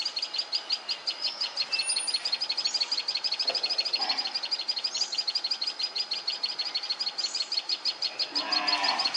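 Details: A sunbird in Khandelwal Colony, Agar Malwa, gives thin, high chips repeated about three times a second in a steady run, with a brief rustling noise near the end.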